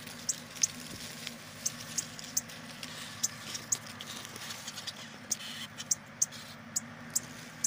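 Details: A Shiny cowbird chick in a tico-tico-rei's nest gives very short, high, thin chips at an uneven pace, roughly two or three a second, over a steady low hum.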